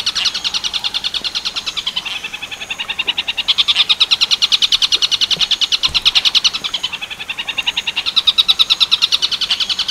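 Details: Tengkek buto werkudoro style song of a long-tailed shrike, used for training other birds: a rapid, evenly pulsed chatter of harsh high notes. It runs without a break, rising and falling in strength.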